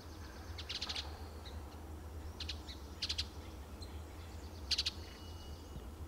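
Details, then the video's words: An adult male Western Bluebird on pine trees in Del Monte Forest, California, gives short, high, clipped notes in small clusters, about four bursts over six seconds, over a steady low rumble. "The sound of Western Bluebird"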